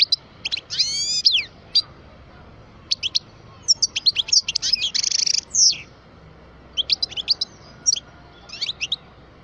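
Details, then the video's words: Kept twelve-year-old goldfinch of the parva subspecies delivering a lively song of ringing, descending notes, quick high twitters and a brief buzzy trill, with short pauses between bursts. "Chant parva le meilleur"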